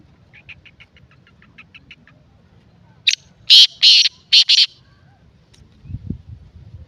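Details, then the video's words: Black francolin calling in Sindh: a faint run of quick ticking notes gives way to a loud, harsh five-part phrase. A short rasping note comes first, then two longer grating notes, then two quick clipped notes. "کالا تیتر کی آواز"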